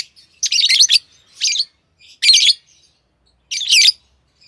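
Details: Lovebirds, tame pet birds, make four harsh, buzzy, screechy chirps at irregular intervals, each around a third of a second long, in a quiet room.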